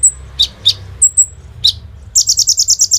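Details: Sunbird known locally as kolibri ninja, singing as a lure for other birds: high thin whistles and downslurred chips, then a rapid, regular trill of about nine sharp, buzzy high notes.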